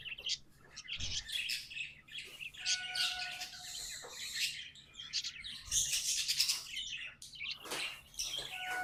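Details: Tame pet budgies singing together: dense, scratchy high warble of chirps, clicks and buzzes running almost without pause, with brief thin whistled tones threaded through the chatter.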